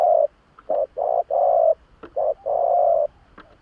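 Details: Spotted dove lure call, a run of repeated mid-pitched coos: short notes alternating with longer flat ones, about seven in under four seconds, with a few faint clicks between.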